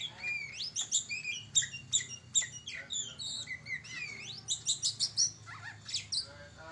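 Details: Oriental magpie-robin (kacer) in full, vigorous song: a rapid, varied run of clear whistled notes, sharp upslurred and downslurred phrases and chattery bursts, high-pitched and nearly continuous, with faint low background hum.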